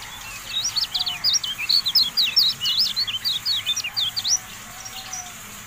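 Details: Masteran recording of the Javan white-eye (kecial kuning): a tight chattering phrase of bright, high, slurred chirps lasting about three seconds, then it stops abruptly, leaving only faint background hiss.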